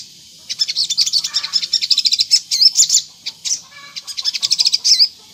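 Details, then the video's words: Energetic high-pitched sunbird song meant to provoke replies from other sunbirds: fast, dense runs of sharp chips and twittering notes, broken by short gaps, with a few looping whistled phrases. "PANCINGAN SOGON GACOR NGLEPER || di jamin burung sogon nyaut"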